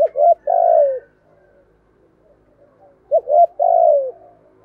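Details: Spotted dove used as a lure bird, deep 'thổ' voiced, giving its urgent cooing to provoke wild birds: two short coos and a long descending coo, heard twice about three seconds apart.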